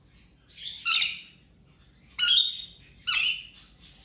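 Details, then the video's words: Injured rainbow lorikeet at play during its ten-day recovery, giving three harsh, grating screeches, the first a doubled burst, spaced about a second apart against a quiet background. "Rainbow Lorikeet playing"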